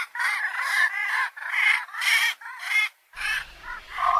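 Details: Javan pond heron uttering loud, rasping squawks in quick succession, several drawn-out harsh notes followed by shorter, lower croaks near the end.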